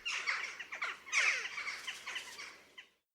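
Jackdaws chattering in a flock: a dense tangle of short, high, clipped 'chak' and 'chok' notes that overlap for about three seconds, then stop.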